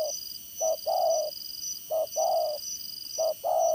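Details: Spotted dove used as a decoy in trapping, its strong voice giving three paired coos, short then long, about every 1.3 seconds, with a high thin buzzing behind.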